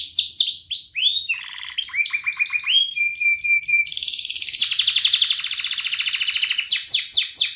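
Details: Actively singing canary, a lure song for young canaries learning sounds: varied phrases of descending slurred whistles and lower clipped notes, then a long, dense, high rattling trill ending in sweeping whistles.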